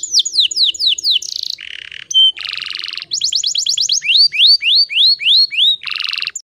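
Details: Female canary song to lure males: descending sweeps, buzzy trills, a short pure whistle, a rolling run of upswept notes and slurred rising whistles, then a final buzzy burst.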